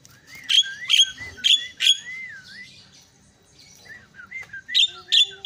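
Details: Myna calls meant to make mynas quickly excited: loud, sharp squeaky notes about every half second over looping whistles, with soft chirps and a lower whistled tone at the end.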